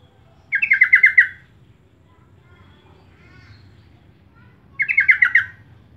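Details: Sooty-headed bulbul lure call played to make other birds sing. Two matching bursts of about six rapid, raspy chattering notes open and close the recording, separated by several seconds of near quiet.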